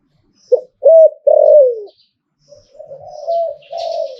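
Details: ['Zebra dove in liu tan song style: a clipped note, a hooked coo and a drawn-out falling coo, then a softer, longer wavering coo phrase.']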